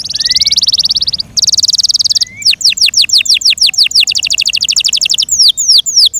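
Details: Song of a Yorkshire canary: two bursts of very fast rattling trill, a short rising note, then loud downward-swept whistles speeding into a quick trill and ending with slower sweeps.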